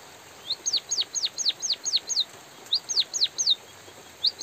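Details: A white-headed munia sings steadily in drizzling rain. Its thin, high notes each rise briefly and then sweep down, delivered in quick runs of several notes separated by short natural gaps, with faint rain patter behind.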